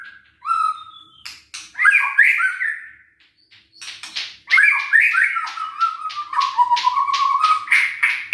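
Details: White-rumped shama song, used to provoke sluggish, lazy shamas into singing: loud varied phrases of rich whistles, slurred notes and harsh chattering bursts, with rising and falling whistled runs and a long warbling stretch near the end.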